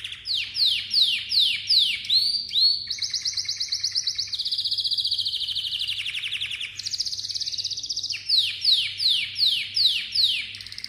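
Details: A Malta canary sings a cycle of song: a series of steep down-slurred notes, then long rolling trills at several pitch levels, and then the same quick descending swoops again near the end.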